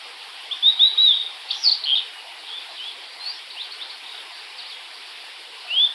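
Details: Blue-and-white flycatcher singing: clear whistled, slurred notes in a quick cluster early on, a quieter stretch, then one more rising whistle at the close over a steady high hiss.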